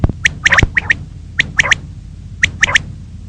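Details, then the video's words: Female common quail calling in the morning: three groups of sharp, clicky notes, each group of three quick bursts, repeated roughly once a second over a low steady background hum. "Female Batair Ki Awaz| Common Quail Calling Batair Ki Awaz"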